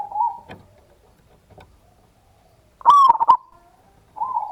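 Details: Local zebra dove singing in the ngayer kerot nutut style, kept as a lure to spur other doves into song: soft cooing notes, then a loud rapid rolling burst of coos mid-way, with cooing resuming at the end and faint clicks between.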